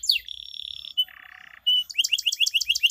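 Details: Canary singing as a lure for reluctant birds: a steady high buzzy trill, a lower rolling churr, then a run of quick repeated chirps, about five per second.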